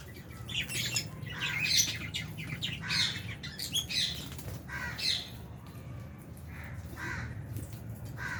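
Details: Aviary flock of albino and Fisher's lovebirds, with budgies, at mealtime: shrill buzzy chirps repeated about once a second, loudest early on and thinning toward the end, over a low steady background hum.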